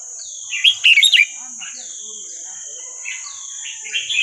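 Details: Red-whiskered bulbul, Burmese song style played for young birds to learn: a loud quick run of sharp chirped notes, then softer drawn-out whistles and another rising phrase, over a steady high whine.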